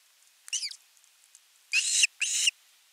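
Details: Osprey at a nest camera on 10 August 2021 calling for fish: one faint slurred whistle, then two louder, drawn-out, harsh squealing calls in quick succession over a quiet background.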